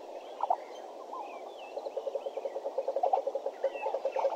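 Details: Hornbill calling at a waterhole at Djuma, Africa, at 6:51 in the morning on 13 September 2012: a steady series of low, hollow clucking notes, about five a second, over constant background hiss and faint distant bird whistles.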